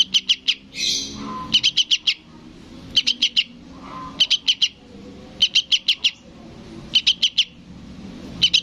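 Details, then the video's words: Juvenile sooty-headed bulbul calling its parent in repeated volleys of three to five sharp, high chirps, about one per second, interrupted twice by short rustling noises. "SUARA BURUNG TRUCUKAN ANAKAN MEMANGGIL INDUKNYA"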